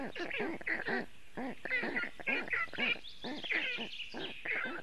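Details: Young black storks at a nest in Latvia on a very hot day, calling for cooling: a rapid run of hoarse, arched, harmonic-rich calls, two to three per second, several voices overlapping, with thinner higher chirps above.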